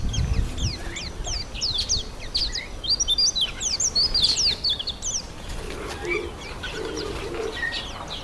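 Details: Yellow white-eyes feeding on an apple, calling continually to keep in touch: rapid bursts of thin, high, slurred chirps from several birds, busiest in the middle, then sparser notes over a low background hum.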